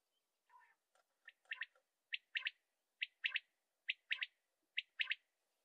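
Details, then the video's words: Common quail giving repeated three-note phrases, each a single clipped note followed by a close double note. After a few softer scattered notes at the start, five phrases come at a steady pace of roughly one per second. "Quail sound/ quail video Shikar/ quail video virals/ Common quail effects video/ quail ki hawaz."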